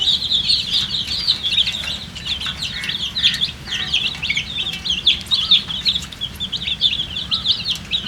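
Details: Colourful baby chickens chirping from thirst as they wait to drink water: a dense chorus of high, sharp peeps overlapping continuously, with quick rising and falling notes from many chicks at once.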